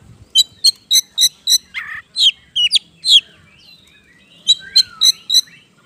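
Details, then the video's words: Oriental magpie-robin (kacer) singing persistently as a lure to prompt other birds to sing: five quick, evenly spaced sharp chips, a burst of varied slurred whistles, then another fast series of repeated chips. "PANCINGAN KACER GACOR NGOBRA NGOTOT"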